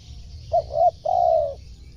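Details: Spotted dove call used to lure wild birds: two short, low cooing notes followed by a longer, steady, slightly falling coo, all mellow and hollow, over a faint low hum.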